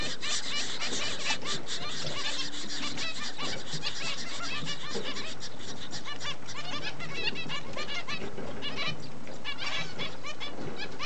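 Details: Captive Double-barred finches with chicks, parents raising young, recorded 4 June 2011: busy overlapping high chirps and scratchy twittering from several birds, thickening in the second half, over a constant low background hum.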